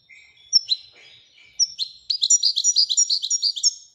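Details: Widani-style song of a Moroccan European goldfinch: soft buzzy notes and a few sharp chips at first, then a loud, fast, bright twittering run that lasts about two seconds.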